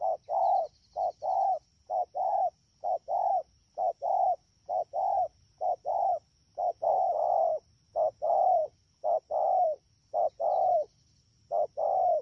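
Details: Rapid-calling wild-caught spotted dove at Đak Tô, Vietnam, rainy season, 3 October 2019: a steady run of paired low mellow coos, more than one pair a second with short gaps, with no other clear sounds.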